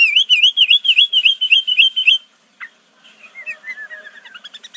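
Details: Sooty-headed bulbul singing a mimicry-filled song taken from prenjak, cucak ijo, cucak rowo and murai. About two seconds of rapid, even looping whistles end abruptly, then a single click and a softer descending twittering series.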